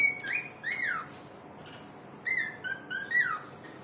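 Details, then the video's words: Talking bird giving a series of clear whistled notes, some sliding down and some held level, in short bursts separated by brief pauses, over faint background noise. "Talking bird"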